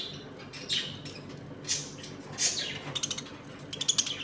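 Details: Budgerigar colony kept at home, eating and playing: faint scratchy chirps and a few rising whistles, ending in quick clicking, buzzy chatter.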